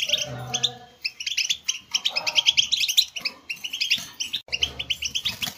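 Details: European goldfinch song played to stimulate captive goldfinches to sing: dense, fast tinkling twitter of high chirps and short trills in quick bursts, with a brief pause near one second and a faint low hum beneath.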